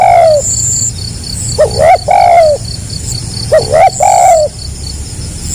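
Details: Spotted dove, called tekukur, in gagap rapat selang nguku style. A falling coo opens, then two phrases of quick double notes run into a sustained mellow coo. An insect chorus drones high in the background.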